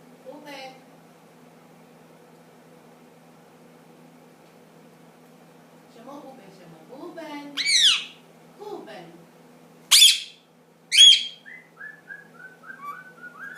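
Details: Ten-month-old pet ring-necked parakeet indoors. Faint human speech at first, then loud scratchy squawks and sharp shrieks, ending in a descending run of short whistled notes, like a tune being learned.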